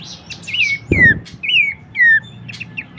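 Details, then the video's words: Horsfield's babbler vocal recording: clear whistled phrases that rise briefly and then glide downward, repeated about every half second. A soft thump and a few faint chirps sound between them. "materi vokal mewah cetak jawara dengan masteran Topcerr khas burung pelanduksemak."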